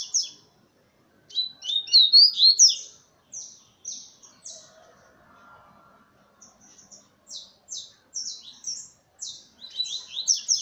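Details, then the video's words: Double-collared seedeater singing while perched on a person's hand: bursts of quick high chirps and short buzzy notes in uneven phrases, separated by pauses, with a faint low warble in between. "PAPA CAPIM CANTANDO NA MAO"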